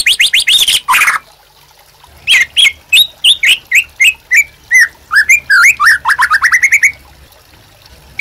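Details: White-rumped shama in full, lively song, used as master song and to provoke captive birds into singing: a quick burst of rapid notes, a short pause, then a fast run of slurred whistles, chips and upswept notes that speeds up before stopping.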